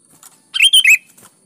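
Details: Sooty-headed bulbul, called kutilang, singing to stir other kutilang into answering: one quick bubbly three-note phrase, liquid and slightly warbled, preceded and followed by faint soft chirps.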